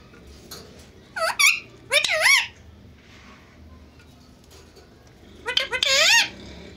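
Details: Pet Indian ringneck parakeets, a pair face to face, talking in Urdu and Hindi: two short bursts of high, wavering, harmonic speech-like phrases early on, a quiet gap, then another warbling burst near the end in a small room.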